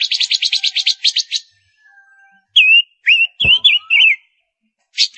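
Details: Female silver-eared mesia used as a lure bird opens with a rapid buzzy rattling trill for over a second, then pauses and sings wavering whistled phrases with a sharp click among them.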